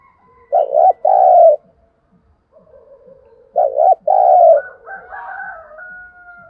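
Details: Spotted dove used as a decoy, calling to stir wild doves: two phrases, each a short broken double coo then a longer steady purring coo, about three seconds apart; thin whistles from other birds follow near the end.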